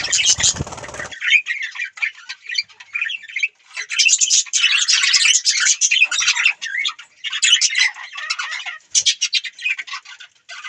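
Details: Budgerigars chattering in long runs of rapid, scratchy high chirps and warbles, opening with a brief broad rustling burst.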